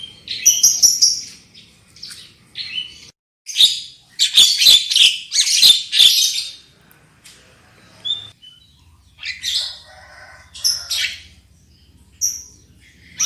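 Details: Black-winged myna lure song to make birds sing loudly, with loud harsh chattering bursts in rapid series, a short silence, then scattered whistles and scratchy notes.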